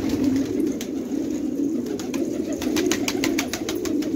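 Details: Fighting tumbler pigeons in Khanabad village, Afghanistan, giving a thick low chorus of rolling coos, with a quick run of sharp clicking taps in the second half.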